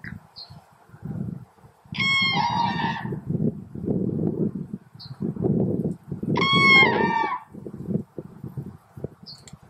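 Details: Common crane (Grus grus), call.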